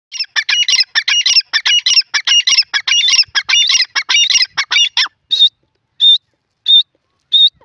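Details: Black francolin, called Irani or kala teetar; a rapid run of harsh, buzzy double notes for about five seconds, then four separate clear whistled notes spaced under a second apart.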